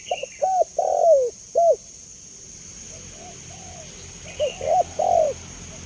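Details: Spotted dove giving a clear call, used as a lure, training and therapy sound for other doves: a short rising coo, a long wavering coo and a clipped final note, with a fainter dove answering midway, over a steady high hiss.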